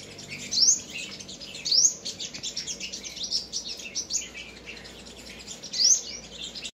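A sunbird gives a high, thin twittering song with sharp upward-sweeping notes about once a second, over steady background hiss.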